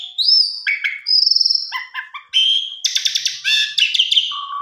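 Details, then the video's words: An Asian pied starling, used as a lure recording to prompt kept songbirds, sings a fast, varied medley of clear rising whistles, chattering trills and harsh buzzy notes, changing phrase every half second, with no other sounds. "Pancingan Jalak Suren Biar Bongkar Isian"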